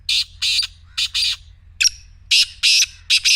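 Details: Loud, rasping black francolin call repeated in a steady rhythm of paired and tripled scratchy, buzzy syllables, with one higher sharp note in the middle and low hum behind.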